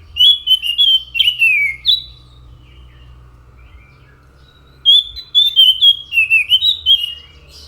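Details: Orange-headed thrush (anis macan) in full song: clear slurred whistles and falling notes in a lively burst, a gap of several seconds, then another run of varied whistled phrases, with a faint low hum behind.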